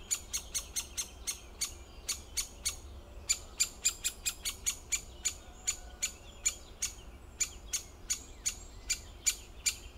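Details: Great spotted woodpecker uttering loud, sharp 'kik' notes in irregular bursts and clusters, some closely spaced and some separated by short pauses, over a quiet background.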